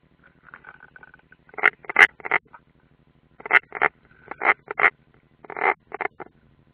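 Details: European roller, unringed, at a nest in Latvia's Ādaži training ground on 30 June 2016: quieter rasping chatter in three loose bursts of grating notes over a low steady hum and faint scratching.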